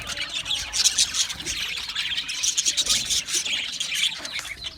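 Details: Australian budgerigars chirping and singing, a dense chatter of rapid high scratchy chirps and squawks overlapping throughout, with faint low background rumble.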